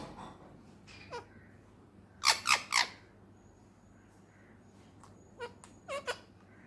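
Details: Indoor pet male Indian ringneck, a talking parrot from Pakistan: three loud grating screeches in a tight row midway, with scattered softer chirps and clicks before and after and a faint steady tone in the room.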